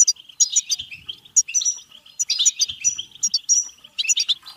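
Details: European goldfinch singing a bitbita-style song, played to stimulate goldfinches to sing and mate: rapid, tinkling twitter of bright chirps and short liquid trills, with brief buzzy notes, continuing without a real pause.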